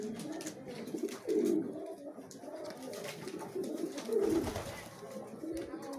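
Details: Pigeons eating in competition, with two stronger low, bubbling coos among quieter murmurs and a background of pecking taps.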